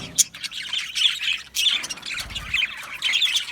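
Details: Budgerigars in an Australian budgie aviary colony, squawky overlapping chirps and chatter in a busy, continuous flock din with sharp high squeaks.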